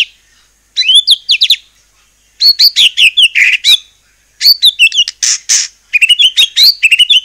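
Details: White-rumped shama song played to stir other shamas into singing: repeated bursts of quick, bright whistled and chattering notes separated by brief silences.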